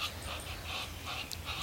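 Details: Muscovy duck making quick, breathy hissing puffs, several in a row about every quarter second, over a low rumble. These ducks don't quack and communicate mostly with such heavy-breathing noises.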